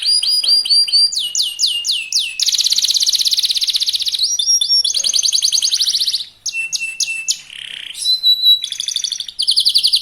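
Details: Young local canary in fast, bait-style singing meant to provoke other birds into song: rapid high trills and repeated upslurred whistles, with a long buzzy rattle near the start and quick changes between phrase types.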